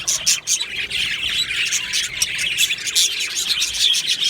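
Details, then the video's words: Colony of Australian budgerigars in an aviary, recorded 22 June 2025: a dense, continuous chatter of many overlapping chirps, warbles and squawks with no pauses. "Budgie singing sounds | Budgie chirping sounds"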